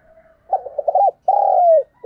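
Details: Close spotted dove coo used as a decoy for wild doves: a rapid stutter of short notes, a brief gap, then a long steady coo that slides downward, with the next note just beginning.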